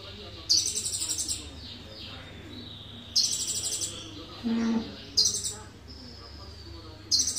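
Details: Indonesian sunbird delivering cililin-filled song: repeated high, fast-pulsed trills roughly every two seconds, with a brief low droning sound in between and a steady hum below.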